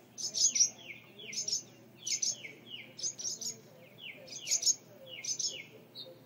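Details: Adult birds defending a mud nest holding two young on a porch light fixture, calling while the front door stands open. High clipped chirps, each followed by a short downward-slurred note, repeated roughly once a second.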